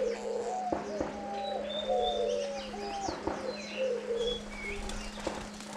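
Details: Diamond dove parents competing to feed their nine-day-old chicks in captivity. Gentle warbling coos wobble in short phrases, several within a few seconds, while thin high chirps and whistles scatter above and a constant low hum runs throughout.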